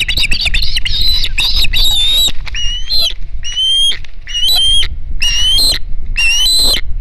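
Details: Noisy Osprey at the Hog Island nest on 9 September 2019, with another fish arriving: loud, piercing whistled screams, each rising and slurred upward, in quick bursts, then repeated every second or so.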